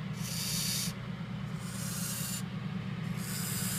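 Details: A captive Indian scops owl chick, hatched in May 2014, gives three harsh, breathy hisses, each under a second long, over a steady low hum.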